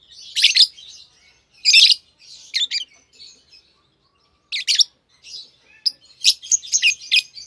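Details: A green pair of Fischer's lovebirds chirping and singing in bursts of high, harsh chattering notes separated by short pauses.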